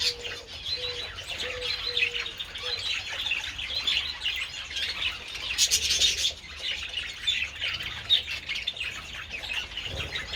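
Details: Several budgerigars enjoying treats in the sun on 27 February keep up a dense, scratchy warbling chatter with quick chirps throughout, while a low, steady cooing repeats in the background during the first three seconds.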